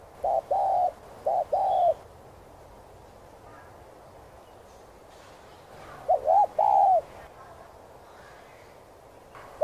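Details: Spotted dove (cu gáy) giving repeated soft coos used to spur captive doves into singing. Several quick wavering notes, each followed by a longer hooting note, come in two bursts with a pause of about four seconds and faint background sounds.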